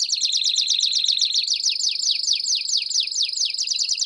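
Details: Campainha-style canary song with chirps, for young canaries to learn: rapid repeated downslurred notes about four per second over a continuous high, bell-like trill.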